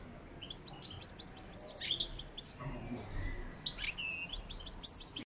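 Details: Goldfinch in lak lak song: bursts of sharp, high twittering separated by brief pauses, with a softer slurred whistle between bursts and a final quick chirp cluster before it cuts off.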